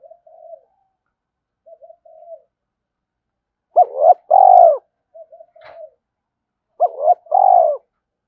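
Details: Spotted dove cooing, a call meant to excite a decoy dove. Soft murmured notes come first, then two strong phrases about three seconds apart, each a quick paired note leading into a long, low, falling coo.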